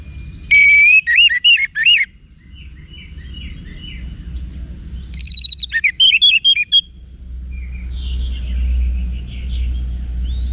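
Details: Wiksar-style song of orange-headed thrush, used as bait for cage-bird training: a bright warbled phrase at the start, softer fragments, then a second rapid chirping burst around five to seven seconds, with low background rumble rising later.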